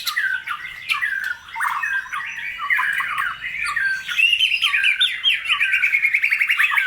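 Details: Energetic White-rumped shama song meant to rouse other birds: dense, rapid chattering and whistled phrases, ending in a quick repeated trill-like series of sharp notes.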